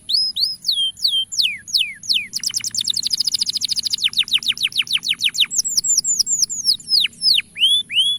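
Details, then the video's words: Male canary calling so young canaries will start singing: slow descending whistles, then a dense fast rattling trill, then clear hooked whistles repeated in series over a faint constant high tone. "Suara Panggilan Kenari Jantan Agar Memikat Kenari Paud Untuk Bunyi"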